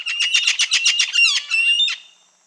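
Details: Red-fan parrot, also called anacã or hawk-headed parrot: a rapid run of about a dozen harsh, rasping squawks repeated several times a second, ending in a few lower, drawn-out grating notes that fade out; no other sounds.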